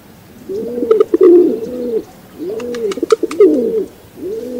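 A rock pigeon gives low, rolling, throaty coos in swelling bursts about every two seconds, with faint sharp clicks or taps between them.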